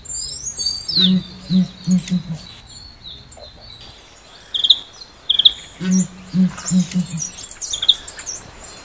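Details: Southern ground hornbill pre-dawn chorus: two runs of four deep, evenly spaced booming grunts, while other birds chirp and whistle higher up throughout.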